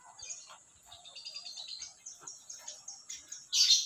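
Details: Lovebird in the morning giving quiet, high, rapid chirps and squeaky twitters in uneven bursts, ending with a louder harsh burst.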